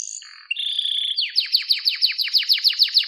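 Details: Canary song for training: a low buzzy phrase, a short whistled trill, then a steady series of rapid downward-swept notes repeated about five times per second.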